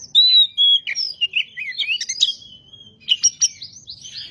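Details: Singing white-rumped shama used as a lure song for other shamas, a fast varied song of clear whistles, sliding notes and buzzy twitters, with a brief pause before a new burst of phrases.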